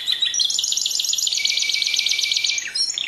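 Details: Canary delivering a fast, dense trill of rapidly repeated high notes held for over two seconds, ending with a slur.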